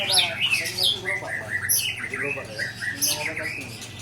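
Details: Ujong Pancu white-rumped shama in a short burst of rare 'isian' song: dense, high, twisting notes and sharp chips packed together, over a faint low hum.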